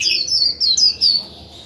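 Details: Close, loud 'líu' from a decoy white-eye used to stimulate other birds: a quick string of high, slurred, warbling notes, dipping and rising over about a second before falling quiet.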